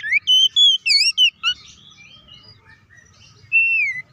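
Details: Oriental magpie-robin singing to provoke other magpie-robins, with a quick series of rich whistles and looping notes, a pause filled with soft twitters, then one long wavering whistle.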